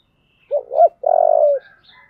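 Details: Spotted dove, 'giọng thổ' voice style, roused to fight: a short hoot rises into a second note, then a sustained buzzy coo trails off, with faint higher notes after.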